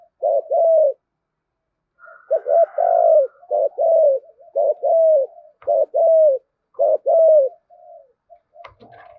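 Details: Spotted dove giving a loud-voiced luring call with drum-like cooing phrases to draw in other doves; deep hoarse coos in quick bursts of two to four notes, roughly a dozen phrases separated by short pauses, with a faint click near the end.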